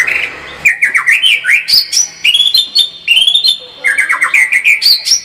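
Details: Murai batu singing in 'gacor full tembakan' style: a lively string of quick rising and falling whistled notes, repeated in rapid bouncing phrases with short gaps between them.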